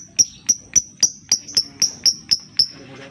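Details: Lovebird lure call for getting other lovebirds singing: ten sharp, high ticking notes repeated about every quarter second, fading at the end.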